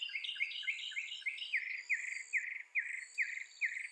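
A mockingbird sings a quick series of bright, repeated chirps, then switches to a slower phrase of sharp, downslurred notes repeated about twice a second.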